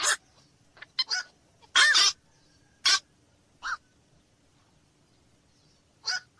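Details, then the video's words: Black-crowned night heron uttering scattered, short, rasping squawks with long silent gaps between them, including one louder drawn-out harsh call near the middle. "SUARA BURUNG KOAK MALAM"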